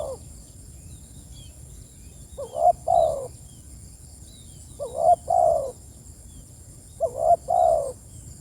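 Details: Spotted dove summoning companions: soft coo-croo phrases repeated about every two and a half seconds, the first note short and rising, the second longer and falling, with light chirps of other birds behind.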